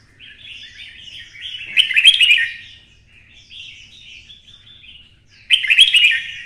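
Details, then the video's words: A red-whiskered bulbul with a 'twisted voice', goaded into fighting song, gives rolling warbled phrases, with a loud rich burst near two seconds and another at the close, separated by softer chattering notes. "CHÀO MÀO | Giọng xoắn - Kích chim xổ bọng căng lửa hót đấu"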